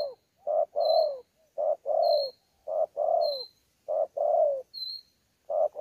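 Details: Newly caught wild spotted dove at Sa Thầy, 26 November 2019, mixing contest-style cooing with gù coos: a short note then a longer, lower, falling coo, the phrase repeated about every second and a quarter.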